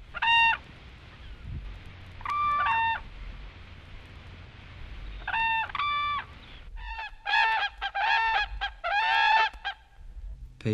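Whooping Crane giving loud, bugling double-noted calls, at first spaced a few seconds apart, then a rapid overlapping chorus of several birds near the end.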